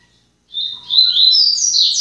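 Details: Papa-capim (seedeater) singing: after a brief silence, a fast, high, buzzy twittering trill climbs steadily in pitch and runs continuously to the end, loud and clear with no other sounds.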